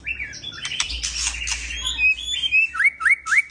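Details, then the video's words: Male white-rumped shama in an aviary, calling a female to mate: loud varied song opening with harsh squawky bursts, then clear whistled notes and three quick rising upslurred whistles repeated at the end. "Murai jantan mulai memanggil betina mengajak kawin !!"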